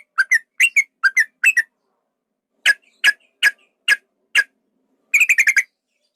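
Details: Yellow-vented bulbul, male, lure recording to rouse another bird into fighting: clusters of sharp paired chirps, then a series of single spaced notes about every 0.4 seconds, ending in a rapid chattering burst.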